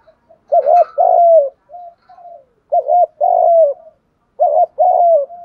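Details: Spotted dove lure call used to attract other doves: a loud two-part coo phrase, a short wavering note then a long falling coo, repeated about every two seconds, with faint softer coos between.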